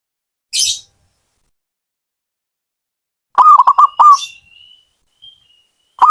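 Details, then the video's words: Zebra dove (perkutut) from a hobbyist, one stuttering cooing phrase after a hissy burst, followed by a faint thin whistle and the start of another phrase at the end. "Suara burung perkutut"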